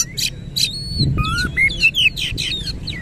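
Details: White-rumped shama singing with tail spread, rough song content; pure level whistles and falling slurs mixed with buzzy chips in quick succession, with a short low thump in the background.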